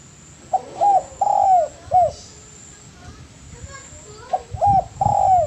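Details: Spotted dove in a bird-training master recording, giving two three-part cooing phrases of short coo, long falling coo and short coo, separated by a quiet pause with low background rumble.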